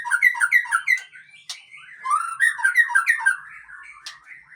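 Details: Male white-rumped shama of the Murai Aceh type, called tough, repeating quick downslurred whistles, then a warbled run of mellow notes fading toward the end.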